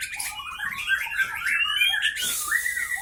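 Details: Wild-caught Aceh Leuser white-rumped shama in a cage, Gayo Lues, Aceh, in fighting mood; a fast jumble of sharp, varied whistles and twittering notes with a harsh, hissing burst near the end.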